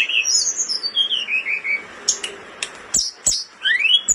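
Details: Blood-breasted flowerpecker, a caged bird in breeding condition, singing energetically for tutoring other songbirds: high thin descending whistles and slurred notes, then sharp ticking clicks and a final rising whistle.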